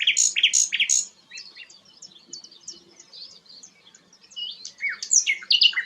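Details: Sikatan londo, described as a rare bird, singing high, rapid phrases: loud bright trills at the start, then softer chattering notes, and strong sweeping notes again near the end.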